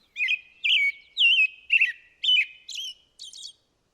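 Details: American robin, a species that keeps singing through much of the day until around noon, sings a string of six or seven clear warbled phrases, each rising and falling, about two per second, ending on a thinner, higher note.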